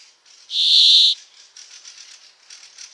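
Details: Brambling song: one long, harsh, nasal buzzing wheeze lasting over half a second, followed by faint rustling and soft distant chirps.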